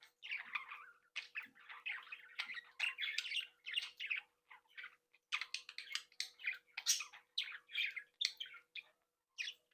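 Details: Budgerigars of a home breeding flock, talking, tweeting and singing together: rapid overlapping warbled chirps and sharp squeaks, a short lull around five seconds, then a livelier stretch, with a faint constant hum underneath.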